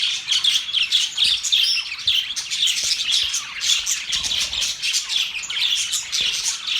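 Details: Group of budgies singing in a crowded, bright twitter, rapid chirps and whistled notes layered on one another with small pulses of louder squawks.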